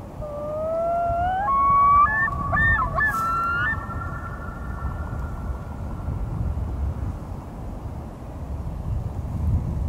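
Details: Loon on a local pond in May, calling at dawn: a clear, mournful wail that opens low and climbs. It breaks upward into a higher note and is held steadily for several seconds before fading over a low background rumble.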